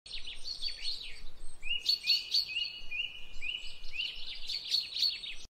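A white-browed bulbul gives a loud, jumbled burst of chattering notes mixed with short level whistles, continuing for several seconds over faint background hiss.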